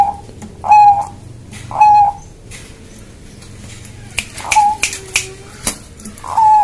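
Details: Zebra dove of the Bangkok type, kept by its owner and calling to greet him: short burry coos, each about a third of a second, given four times in under seven seconds between sharp clicks and taps.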